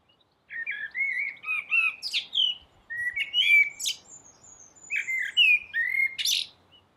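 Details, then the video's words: Continuous dawn-chorus song of a common blackbird perched on a roof: rolling fluted whistles broken by sharp high squeaks and trills, phrases following one another almost without pause. "Blackbird singing"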